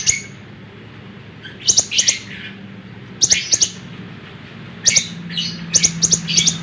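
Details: Lemon-bellied white-eye (konin), vigorous singing intended for tutoring caged songbirds: bursts of rapid high ticking notes and brief buzzy trills, three or four phrases spaced over several seconds, low droning hum underneath.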